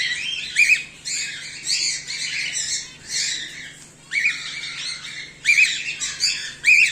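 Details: Home-bred cockatiels, a whiteface emerald and an exhibition grey male among them, repeat rough squawking bursts roughly once a second, several ending in sharp rising notes, over a low constant hum.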